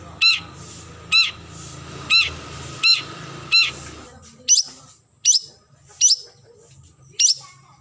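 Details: Long-tailed shrike calling a rival, giving five harsh, buzzy notes about a second apart, then four thin, high, sharp notes at a similar pace, over a low background hum.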